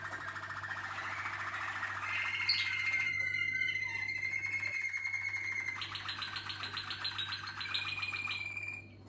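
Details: Waterslager (Malinois) canary singing indoors: rolling, water-like trills and bubbling tours, a long clear whistled note near the middle, then rapid repeated trilled phrases, with a steady low hum behind.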